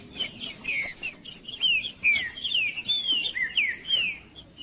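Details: Green-winged saltator (trinca-ferro) singing, played as a natural stimulating recording to warm up a cold bird for tournament breeders: clear, slurred whistled phrases, rising and falling, in quick succession, with a thin steady high tone behind.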